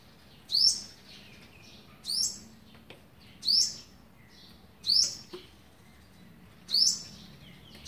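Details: Olive-backed sunbird on day 11 of feeding its young, 27 November 2019, giving six piercing high chips spaced about a second and a half apart, with soft fainter notes between them.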